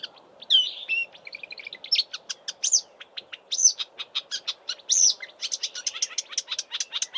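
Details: Marsh warbler singing in Eastern Cape bush in March before migrating north, mimicking southern African birds: rapid run of sharp chirps, trills and short whistled phrases, changing every moment, with a steady low hum beneath.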